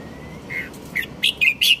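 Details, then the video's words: Red-whiskered bulbul song: a soft whistled note followed by four quick, sharper chirped notes in an accelerating, bubbly sequence, with faint background hiss. "Merbah Jambul"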